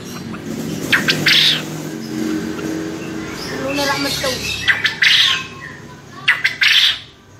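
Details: Champion male contest quail calling its ceketer: sharp chattering bursts repeated three times, each a quick stutter leading into a harsh note, with faint voices and low hum between.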